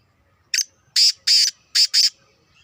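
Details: Black francolin, a two-year-old male, kept bird; call of harsh, loud, noisy bursts: one short note, two longer grating notes, then a rapid pair, all within about two seconds.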